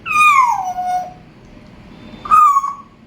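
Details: Pet African grey parrot calling indoors: a clear descending whistled note lasting about a second, then a second shorter whistle after a pause, quiet room background.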